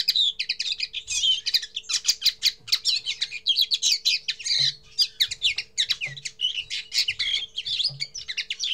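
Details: Common linnet giving its first song: a rapid, varied twittering of high chirps, buzzy notes and short trills run together almost without pause, with a faint low hum and soft low thumps in the background.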